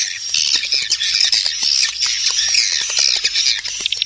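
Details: Swiftlet lure call used to attract swiftlets, with wing flapping: a dense, continuous chattering of high twittering clicks and chirps, steady and busy throughout with no pauses.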